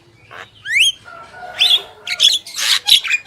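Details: Javan myna, male and female: a bright upslurred whistle, then a string of harsh grating squawks in quick succession.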